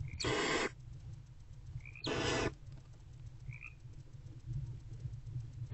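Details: Mother barn owl with her older owlet inside a nest box in the early morning hours, February 2024; two loud, harsh hissing bursts about two seconds apart, then quieter faint chirps over a constant low drone.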